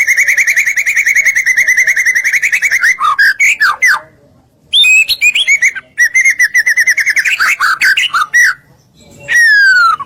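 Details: White-rumped shama song used as masteran to provoke other shamas into answering: loud rapid rattling trills, sharp swept whistles and chattering bursts separated by brief pauses, ending in a clear descending whistle.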